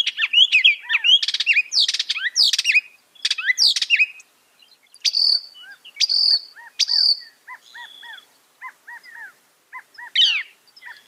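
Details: Northern mockingbird, a loud fast singer that copies other birds, insects and amphibians: varied sweeping whistles and sharp chirps, then a ringing note repeated three times and a series of soft, evenly spaced hooked notes; quiet background.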